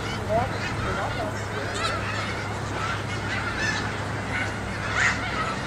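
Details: Thousands of migrating snow geese crowd a school yard, their massed honking forming a steady roar with a few sharper yelps rising above it and faint talk in the background.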